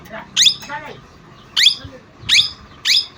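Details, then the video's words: Parrot giving four harsh, rising squawks, each a short sharp screech spaced irregularly, with a brief murmur of lower, voice-like sound after the first call. "parrot sound l tota sound"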